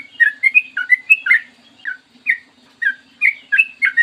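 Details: Vigorous clear morning song of a sooty-headed bulbul, used as a lure: an opening cluster of quick slurred chirps, then spaced single notes picking up again into pairs, with a faint low hum.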